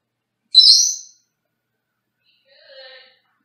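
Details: Pet Senegal parrot in a small cage in another room gives one loud, shrill, rasping squawk, then after a short pause a softer, lower, nasal call.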